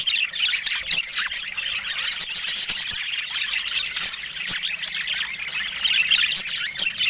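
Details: Pet budgerigars keep up busy, high-pitched warbling chatter, a steady blend of chirps, squeaks and short squawks, with brief sharp clicks standing out.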